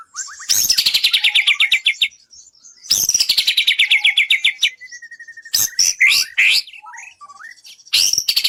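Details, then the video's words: White-rumped shama training song for bird contests: loud bursts of rapid descending chattering notes repeated about every two and a half seconds, broken by a steady whistled trill and short rising whistles. "Masteran burung murai bikin juara 1"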